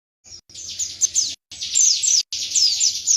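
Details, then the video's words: Indonesian white-eye (pleci) delivering a loud gacor song: rapid high twittering phrases with sharp descending whistled notes, in three bursts separated by brief silences. "Pleci WIKSAR Tembakan MATERI"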